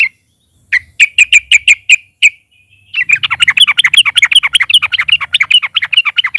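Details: Loud Yellow-vented bulbul song used as a lure for other birds: a row of about eight clear, evenly spaced chirps, then a fast, continuous bubbling chatter.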